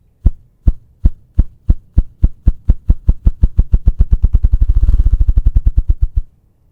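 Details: Male ruffed grouse drumming in spring woodland to attract a mate and claim territory: deep, muffled thumps begin slowly, about two a second, then speed up into a fast whirring roll that stops after six seconds.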